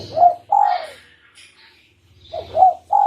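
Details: Tekukur, the spotted dove, calling as a trapping lure. Short fragments of the phrase: a falling coo and a longer sliding croo, a pause, then more short coos starting again, with faint higher rustles.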